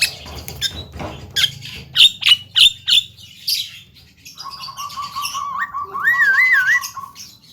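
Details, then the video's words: Chatty young Javan myna that can talk, caged, utters a series of five loud sharp squawks, then a sustained tone topped by a rising, looping whistled phrase. "BURUNG JALAK KEBO CALON JUWARA || CERWET DAN BISA NGOMONG"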